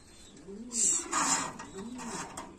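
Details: Lahori pigeon on a farm in Comilla, Bangladesh: two deep, arching coos swell and fall, one early and one late. Loud hissing, rustling noise fills the middle.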